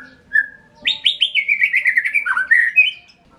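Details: White-rumped shama song: a short whistled note, then a rapid run of bright, slurred notes that slide downward from high to lower pitch and finish on a rising whistle.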